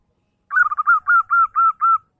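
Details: Zebra dove song at dawn, used to draw rival birds: a single phrase opening with fast staccato notes and slowing into five steady, level, whistled coos spaced about a quarter second apart, with nothing else audible.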